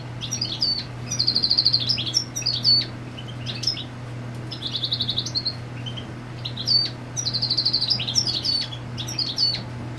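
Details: European goldfinch singing territorially, female on the nest; two similar phrases of tinkling twitters each with a fast buzzy trill, separated by a few seconds of sparse chirps; low hum throughout.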